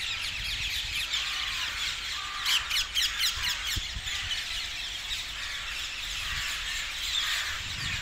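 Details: Dozens of brightly coloured parakeets gathering at roost trees south of Hackney Marshes on 18 February 2021, giving a dense, continuous chorus of harsh, high squawks and screeches, with a louder burst of overlapping calls near the middle.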